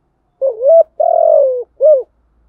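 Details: Spotted dove (cu gáy) cooing for luring wild doves. A single three-part phrase: a rising coo, a long slightly descending note, then a short arched coo. The recording is quiet and free of other sounds.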